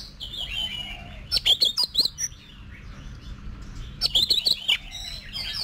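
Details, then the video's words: Oriental magpie-robin in training for singing contests: soft buzzy warble, then two bursts of loud, rapid chirps and whistles about three seconds apart, each lasting under a second, over a steady low background hum. "Luyện Giọng Cho Chòe Than Hót Đấu"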